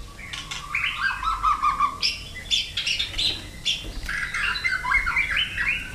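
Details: White-rumped shama provoked into fighting song, flicking its tail on the perch: a busy run of bright chirps and short whistled phrases, with a lower warbling passage early on, over a faint background hiss.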